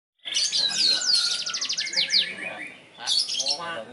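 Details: Black-throated canary from South Kalimantan, Indonesia, singing vigorously: a rapid, high twittering song of sweeping whistled notes and fast buzzy trills, pausing briefly before another burst of chirps and a trill.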